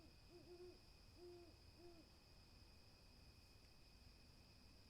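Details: An owl gives three or four short hollow hoots in quick succession within the first two seconds, then falls silent, leaving a constant thin high-pitched hum and soft low background noise.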